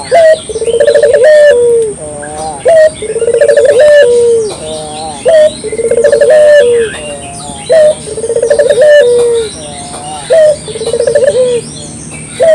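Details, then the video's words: Local spotted dove lure call, crisp and steady: five repeated phrases of a short upward note, a trilled coo and a descending drawn coo, spaced about two and a half seconds apart, light bird chirps behind. "suara burung puter lokal jernih paling ampuh untuk pancingan pagi siang malam"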